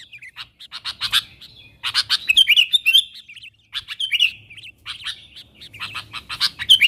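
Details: A sooty-headed bulbul calling wild birds nearer, delivering repeated clusters of raspy, buzzy notes and quick bubbly warbles in three lively bursts.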